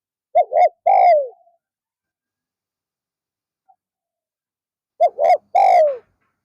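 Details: Spotted dove decoy, used in an afternoon session to lure wild doves, gives two coo phrases about four seconds apart. Each phrase is a pair of brief notes ending in a longer falling coo, with quiet in between.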